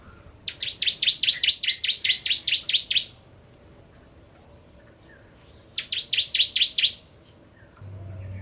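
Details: Bar-winged prinia song as a lure for ciblek kristal: a three-second string of loud, evenly spaced high chips, silence, then a shorter matching burst.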